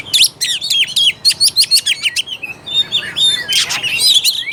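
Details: Oriental magpie-robin singing as a provoking lure for a bird slow to sing: a quick run of about a dozen bright repeated whistled notes, then a rushed, rasping burst of mixed chirps.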